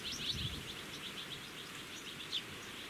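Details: Common linnet at its nest in blackthorn, 13 July 2017, gives a quick, high twittering run of short chirps throughout, fairly soft, over steady low background noise.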